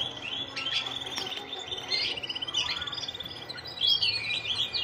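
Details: Male canary ready to breed, in breeding condition: continuous high trilled and twittering song with rapid repeated notes, steady over several seconds against a faint background hiss.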